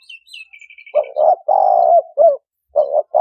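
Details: Lure recording of a spotted dove for trapping birds. Soft, husky coos run together in a two-part then drawn-out pattern, opening with a faint series of thin, high chirps from another bird.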